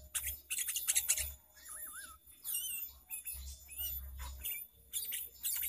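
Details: Lively sooty-headed bulbul singing with varied fill-ins, used as a trapping lure: a wavy warbled whistle and looping whistled notes between bursts of high, scratchy chirping from other birds.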